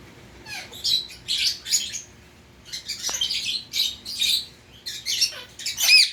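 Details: Indian ringneck parakeet kept as a pet makes scattered raspy squawks and chirps, ending with a louder looping screech.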